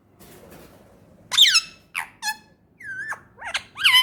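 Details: Pet male Indian ringneck parrot, kept as a talking parrot in Pakistan, indoors: a run of loud, harmonic squawks and chattering notes that sweep down then rise, five or six bursts in quick succession after a quiet start.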